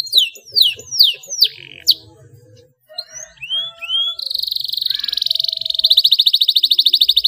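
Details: Clear rolling canary song, played to encourage silent canaries to sing. A run of descending whistled sweeps and a brief pause lead to two rising whistles, then a long, rapid, steady roll.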